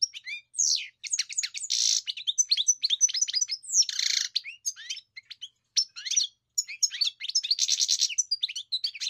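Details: European goldfinch in full song, bubbling twitters broken by a few rasping buzzy bursts, including one near two seconds and another near four seconds, with brief pauses between phrases.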